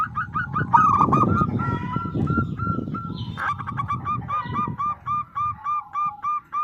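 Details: Local zebra dove song used as a lure to set other zebra doves singing. Rhythmic arched cooing notes, partly masked by low rumbling noise early on, then a clear steady pulsing series of evenly spaced coos.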